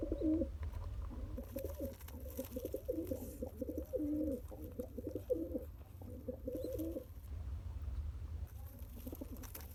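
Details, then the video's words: Newborn pigeon chick fed by its father through pumping; long series of deep, bubbling coo phrases, about seven seconds of gurgling, then a pause and a softer coo near the end, over low indoor hum. "Pigeon Feeding Original Sound"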